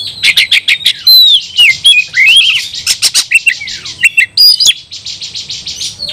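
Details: Oriental magpie-robin fighting song for provoking rivals; rapid clicks lead into sweeping whistles over a fast buzzy trill, then more sharp chips and a long rattling buzz.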